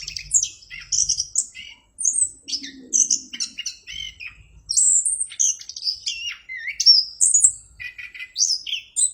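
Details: Orange-headed thrush pouring out a long, varied song of sharp high whistles, slurred notes and rapid chirps, phrases shifting pitch constantly, faint low rumble early on.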